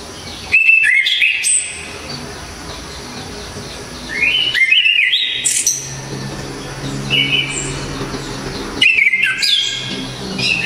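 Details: Orange-headed thrush, Java, singing loud sharp 'tembakan' phrases: three main bursts about four seconds apart, each with slurred rising whistles and high squeaky notes, plus a short soft whistle in between, against low steady hiss.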